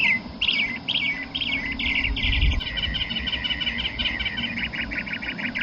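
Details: A Northern Mockingbird sings varied chirpy and buzzy phrases in quick bursts, typically repeating each about three times before switching to a new one; faint low background rumble.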